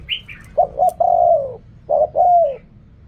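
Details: Spotted dove in the riak kham, khu kham and ok rong styles. A brief high chirp opens, then two soft notes lead into a long, gently falling coo, and a second coo phrase follows.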